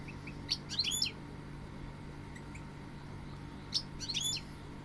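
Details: Goldfinch giving two compact phrases of sharp, rising and falling chirps about three seconds apart, over a constant low hum.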